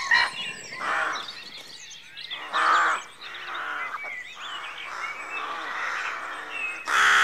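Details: Busy rook colony at daybreak, with repeated loud, rasping caws at irregular intervals over a constant chorus of softer grating calls.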